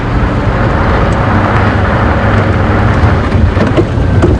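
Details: Dense, steady roaring noise like heavy rain mixed with a vehicle's low rumble fills the whole recording, with no animal calls.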